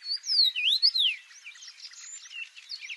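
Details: A red-headed songbird in the wild gives an unusual song: loud, clear whistled notes sweeping down and up in the first second, then softer, busy twittering continues.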